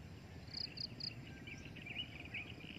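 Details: Breeding adult drongo: three sharp high pips in quick succession, then a run of chattering, slurred chirps with a couple of brighter twisted notes, against a low rumbling background.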